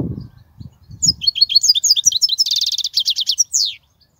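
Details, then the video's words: Song of a European goldfinch, played to teach young goldfinches: a fast chain of bright, tinkling twitters leading into a rapid buzzy trill and a final descending slurred note, with faint low thumps at the start. "تغريد الحسون"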